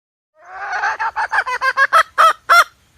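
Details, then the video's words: Hen voice used as bait for trapping: a long, slightly rising nasal note that breaks into a quickening series of separate clucks, each louder and sharper toward the end. "suab poj qaib seev zoo cuab mp3"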